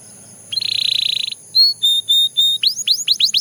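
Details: Song of a Belgian canary: a buzzy steady roll, short level piping notes spaced apart, then a burst of fast rising-and-falling whistled sweeps.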